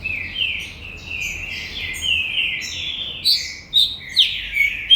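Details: Green-winged saltator, a commercially bred captive singer, giving a series of loud slurred whistled phrases, rising and falling, followed by sharp emphatic short notes toward the end.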